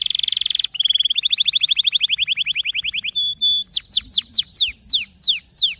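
A canary sings fast, high trills of rapidly repeated notes that slow into a run of bright, downward-sweeping whistles. No other sounds are heard.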